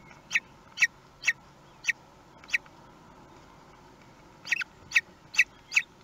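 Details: Common kestrel at the nest at feeding time, with a large prey brought for the meal, Théding, France, 2 June 2020; sharp, high, clipped calls given singly, five spaced notes then a quicker run of four.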